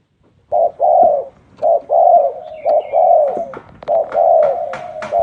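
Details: Spotted dove in an unusual cooing style, loud and close: a steady series of low, mellow coo phrases. Each short note leads into a longer sustained coo, repeated about once a second, with a few clicks near the end.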